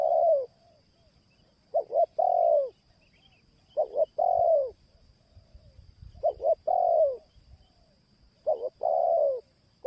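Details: Spotted dove cooing on a lure recording: repeated phrases of two clipped notes then a drawn-out, downward-curving coo, about every two seconds, with a thin constant electronic whine in the background.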